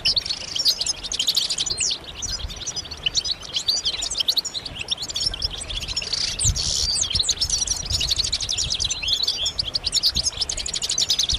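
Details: Massed European goldfinch calls and twittering to rouse males into singing: continuous fast metallic chirps and buzzy trills packed densely across the whole stretch, loud and busy.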